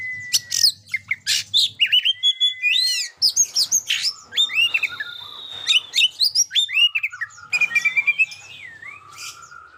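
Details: Energetic Oriental magpie-robin song used to coax silent young birds into singing: long level whistles, rising and falling slurred phrases and clipped chirps tumbling in quick succession, with some soft low background noise.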